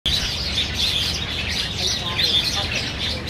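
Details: Black bulbuls competing for banyan figs at Niaosong Wetland Park on 4 November 2015, filmed with a Canon PowerShot SX700 HS; a dense, steady chatter of high chirps and squeaky notes fills the whole stretch.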